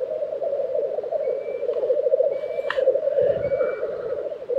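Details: Black grouse bubbling continuously at a lek in Tiveden, Sweden, April 2023, while thin, high, straight whistles from another bird sound three times and a sharp click cuts in midway.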